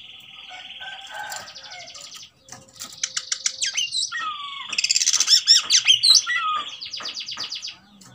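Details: Oriental magpie-robin in fighting mood, its song used to provoke another magpie-robin: a steady buzzy note, then fast dry rattles and twisting whistled slurs, closing with a rapid stuttering trill.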